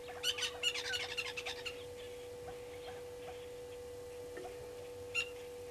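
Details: Brown-headed parrots at a nesting tree by Gowrie dam, Djuma Game Reserve, Sabi Sand Wildtuin, South Africa, on 13 March 2022 at 14:22, caught by a waterhole camera: a rapid burst of harsh, screechy notes, then quiet and one last shrill squawk.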